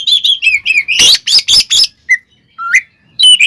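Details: Kacer, or Oriental magpie-robin, provoking fight song: fast series of whistled chirps building into loud harsh bursts, then a few isolated clear whistles.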